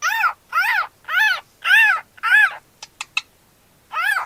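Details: A pet cockatiel gives a quick series of harsh, arching chirps, each rising then falling in pitch.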